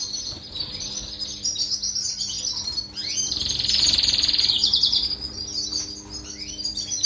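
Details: European goldfinch song played for training canaries: a continuous high twittering with a dense, buzzy, shimmering trill swelling in the middle before loosening back into quick chirps.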